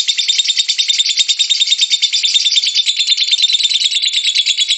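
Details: Ngekek song of a lovebird, a loud, continuous buzzy chatter of very fast, high, squeaky pulses that holds a steady level from start to finish.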